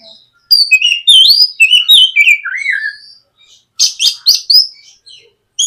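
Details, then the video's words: White-rumped shama in full song, used as a lure to get a young bird singing: a lively cascade of varied whistles dropping in pitch, then a pause and a cluster of sharp high chips. "SUARA PIKAT BURUNG KACER GACOR NGEPLONG MEMANCING KACER BAHAN AGAR LEKAS BUNYI & GACOR"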